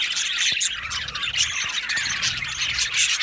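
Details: Budgerigar aviary colony, birds said to be happy, fills a few seconds with crowded, high, scratchy chirping and quick whistled flicks from many birds.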